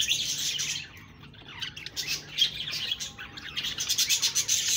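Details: Busy budgerigar chatter of fast high chirps and scratchy warbles that fade briefly, then return as quick, pulsing twitters.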